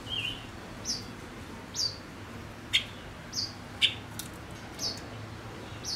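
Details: Male decoy silver-eared mesia giving short, high, thin chirps, spaced roughly once a second. One lower whistled note opens the sequence, and a few sharp clicks fall between the chirps.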